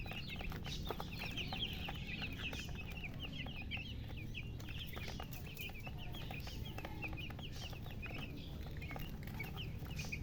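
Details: Chicks of the domestic chicken in a steady peeping chorus, thin high chirps packed closely for ten seconds over a continuous low drone.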